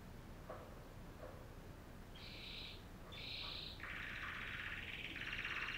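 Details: Female canary singing: after a quiet start with faint clicks, bright rolling trills begin near the middle and run in three dense blocks, the last ones longer and louder, over a steady low hum.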